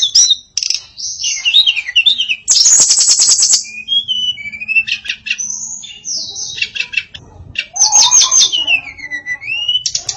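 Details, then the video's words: Varied song from a female hill blue flycatcher (tledekan): warbling high phrases with rising and falling slurs, a burst of rapid clicking notes, and sweeping downward whistles. "Kicau Memukau Tledekan Betina Yang Bersuara Variatif"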